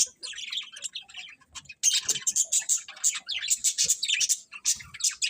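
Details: Birds chirping in the morning: softer twitter at first, then loud, very high, rapid chirps repeated in quick succession by more than one bird.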